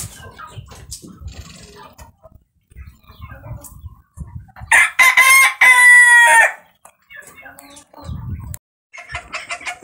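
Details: A silver Polish rooster, runner-up in a breeder's top five, lets out a single strong crow of about two seconds, sharply banded and slightly falling at the end, between stretches of low thumps and rustling.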